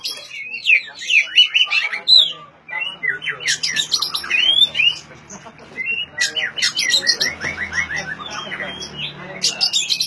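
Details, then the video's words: Oriental magpie-robin, song played to encourage mute magpie-robins to sing; fast mix of squawky, scratchy notes and downslurred whistles in varied bursts, some clicks between phrases. "suara asli kacer untuk memancing kacer macet bunyi"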